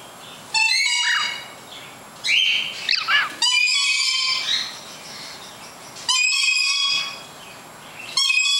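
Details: Lorikeets in the background give shrill, harsh, ringing screeches, each about a second long, roughly every two to three seconds, while a pet cockatiel sits quietly on a finger; a softer, wavering whistle sounds between them.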